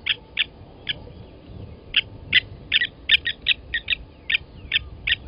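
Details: At a waterhole in Djuma Game Reserve, Sabi Sand Wildtuin, South Africa, 29 August 2020 at 07:47, blacksmith lapwings call while an adult kills a chick taken from the nest; hard, ringing tink notes in irregular bursts and pairs.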